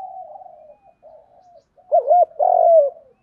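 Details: Lure spotted dove calling in the 'thúc gáy' style to draw wild doves: a run of soft, breathy low notes leading into one loud phrase of two looping coos and a long level note.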